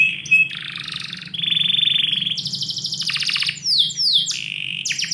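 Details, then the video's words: Indoor canary in morning song: sustained buzzy rolls at different pitches change abruptly, followed by fast repeated chirps and sharp descending whistles, with a constant low hum in the room. "KICAU BURUNG KENARI - DIPAGI HARI DALAM RUMAH"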